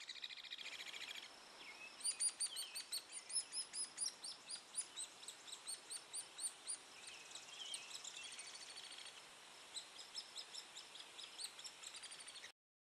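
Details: Adult hairy woodpecker feeding a chick; high, thin chirps run together in a fast, excited chattering series.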